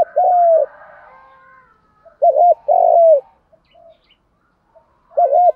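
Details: Lure coo of a spotted dove in the "thúc gù" voice. Low phrases repeat about every two seconds, each a quick double note and then a longer sliding coo.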